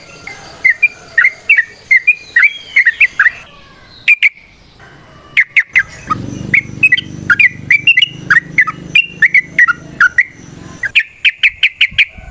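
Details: Sooty-headed bulbul in a long, vigorous 'ropel variasi' song: chattering runs of bubbly slurred notes broken by sharp single chirps, with a low hum under the middle section and a final fast burst of chirps.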